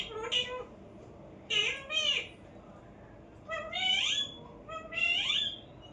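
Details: Pet parrot giving four harmonic, bending calls in two pairs, some rising then falling, others sliding upward, with quiet gaps between them in a calm indoor setting.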